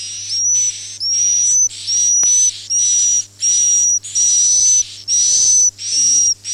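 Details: Swiftlet sound called "Akau ngaji": a regular series of about eight hissing, buzzy chirps with a steady thin whistle inside each, spaced under a second apart, plus one sharp click.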